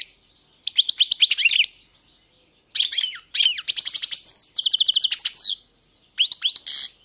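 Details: Lively goldfinch song in several phrases: fast twittering runs, then rhythmic ringing notes repeated quickly in even series, with short pauses between the bursts.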